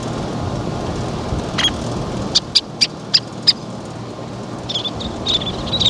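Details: Least tern at a nest with chicks being fed, giving a quick series of five sharp, high kip notes, then scattered softer chips, over a steady low rumble of traffic or wind.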